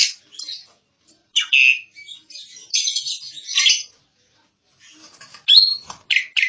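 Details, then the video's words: Asian pied starling in full song, from a 2022 tutor recording used for training birds. Scratchy, chattering phrases and squeaky notes come in irregular bursts separated by short silences. "Kicau burung jalak suren |Burung kicau jalak suren masteran|jalak uren gacor 2022"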